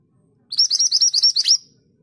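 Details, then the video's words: Scarlet minivet, locally called mantenan gunung, singing energetically in a long roll: about eight rapid, bright, upslurred whistled notes in quick succession over roughly one second. The background is silent. "BURUNG MANTENAN GACOR ROLL PANJANG"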